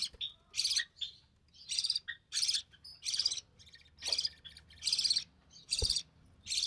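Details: Recessive pied budgie chick hatched early June 2020, offspring of white recessive pied and albino red-eye parents, during feeding; evenly paced scratchy rasps about every half second, with short softer notes between and a couple of thuds.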